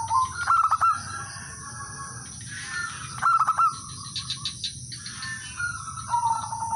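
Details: Male local zebra dove calling to rivals as a decoy to draw others into singing; two short rolling clusters of cooing notes about three seconds apart, softer trailing coos after, over constant background hiss.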